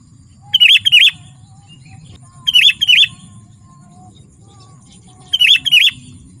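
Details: Sooty-headed bulbul, meant to call wild birds in the forest and tutor birds at home, singing paired bubbly whistled notes in short bursts separated by pauses of about two seconds.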